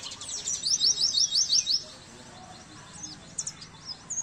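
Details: Training song of the Oriental white-eye for caged birds: a fast series of about eight bright repeated chirps in the first two seconds, followed by quieter scattered high notes and a few sharp whistles.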